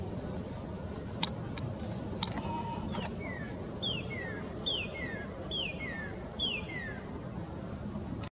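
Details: Northern cardinal singing in Sapsucker Woods, Ithaca, NY, USA, on 20 February 2022: a series of loud, clear whistles slurring sharply downward, about once a second, over a steady low traffic rumble and a few clicks.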